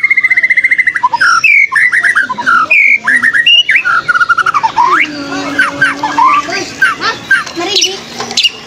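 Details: Challenging a rival, a fighter white-rumped shama pours out a long varied song of clear whistles, rapid trills and swooping slurs, later breaking into fast chattering sweeps over a faint low hum.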